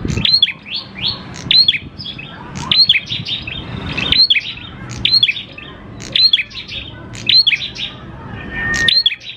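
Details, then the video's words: Steadily singing grey prinia (prenjak klawu) used to lure other prinias into song: seven quick phrases of sharp upswept notes and chips, repeated about every 1.2 seconds over a quiet background. "PANCINGAN PRENJAK KLAWU GACOR, NGALUN BIKIN PRENJAK CEPAT BUNYI"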